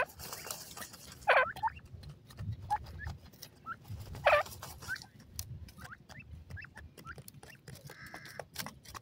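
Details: Baby grey francolins in a forest, sounding bright, high chirps and short upslurred peeps at uneven intervals, with a few louder sharp notes standing out and a soft low background hum.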